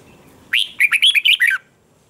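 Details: Red-whiskered bulbul in fired-up competitive song: a single one-second phrase of about seven quick, bubbling, slurred whistles, ending in a falling note.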